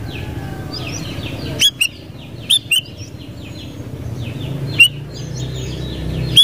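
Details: Sooty-headed bulbul chirping in quick runs of short, slightly falling notes, punctuated by several louder sharp clicks or taps, over a low background hum.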